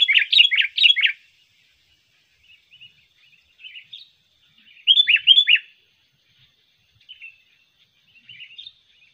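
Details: Sooty-headed bulbul recording for luring birds: short clusters of sharp, downslurred chirps, three quick notes at the start and another loud cluster midway, separated by soft, sparse twitters.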